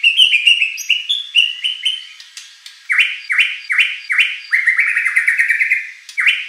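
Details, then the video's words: White-rumped shama song meant to trigger a competition bird to sing back: rapid varied chirping phrases give way to bold, repeated upswept whistles, delivered roughly two per second. "shama bird beautiful song performance"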